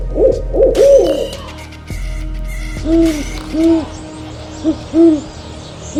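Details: Owl hooting: a quick cluster of arched hoots at the start, a pause, then evenly spaced hoots, several doubled with a lower tone beneath, against a low droning background.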